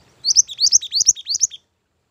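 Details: {'caption': 'Mantenan gunung bird giving pikat gacor song for luring and song training, five paired high whistled notes, each a rising chirp followed by a falling slur, delivered rapidly over about 1.3 seconds.'}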